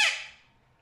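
A parrot gives a single harsh, high screech that cuts off quickly and fades into a quiet indoor room.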